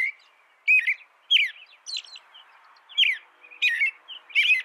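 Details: American robin song over a faint steady background hiss: spaced bursts of slurred whistles and high, squeaky notes, roughly one to two per second.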